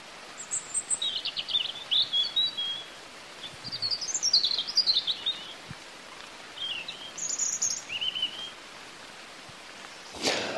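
A European robin sings thin, high, tinkling phrases, each one different, separated by short pauses, over faint background hiss.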